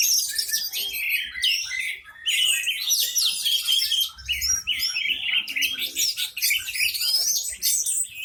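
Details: Orange-headed thrush singing loudly and intensely while spreading its tail, used to prompt other birds, which join in; dense, varied high whistles and rapid chattering phrases continue throughout with barely a pause.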